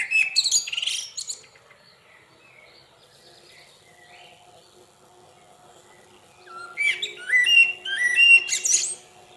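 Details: A Common Blackbird sings two unhurried phrases of mellow fluted whistles, each ending in a thin, squeaky twitter, with a quiet pause between and a faint low hum behind.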